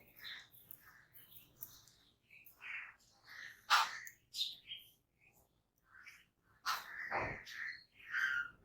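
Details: Jungle babblers, gregarious birds that forage in small groups, give harsh, squeaky chattering notes in uneven bursts, some sharp and loud, with short gaps between outbursts.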